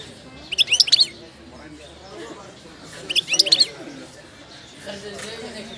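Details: Wild Moroccan goldfinch singing in Wedani style while in moult: two short bursts of high, rapid twittering and tinkling notes about two and a half seconds apart, with low murmuring voices faintly behind.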